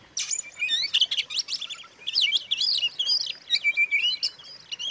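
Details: Song of an Oriental magpie-robin, played as a lure to make other magpie-robins agitated: loud, fast sequences of swooping whistled notes mixed with harsh chatters, delivered in short bursts with little rest.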